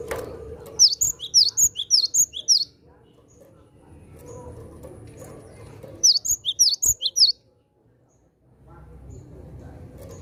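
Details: Lively Javan sparrow calling wild birds with two bursts of quick, high, sharp chirps, each about two seconds, over low background noise.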